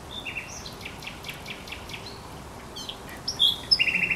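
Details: Thrush nightingale at the Żerań Canal on 24 April 2022: soft distant clicks at first, ending in a loud fast rattle of repeated notes.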